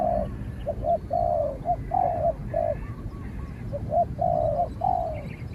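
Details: Spotted doves fight by voice, a trained bird answering a wild one that keeps its distance until expelled. Rich, falling coos mix with brief clipped notes in a rapid, irregular series over background rumble.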